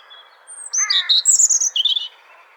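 A robin gives a quick run of high, thin whistled and twittering notes, rising and falling over about a second, against a faint background hiss.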